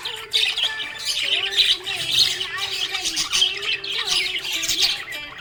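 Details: Budgerigar; chirping; contentment, a happy budgie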